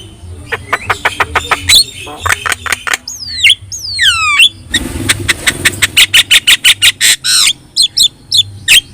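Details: Chattering Javan myna with yellow eyes, recorded as a model for teaching other birds: fast runs of sharp clicks and ticks, a few looping whistled notes, then a dense burst of rapid repeated notes.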